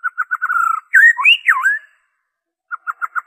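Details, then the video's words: White-rumped shama song used to stimulate captive birds: quick repeated whistled notes, then loud swooping whistles rising and falling, a pause, and more short repeated whistles. "PANCINGAN SUARA MURAI BATU ORIGINAL TANPA ISIAN"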